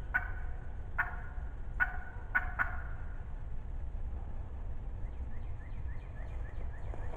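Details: Close, loud and talkative wild turkey hen in the 2020 spring season gives five sharp, nasal yelps, the first three about a second apart and the last two quicker, followed by fainter soft calls over low rumbling background noise.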